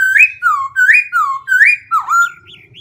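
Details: Black-throated laughingthrush changing its voice continuously, giving rich whistled phrases that rise then drop in a swinging pattern, repeated three times, ending with a dipping note and soft higher twitters.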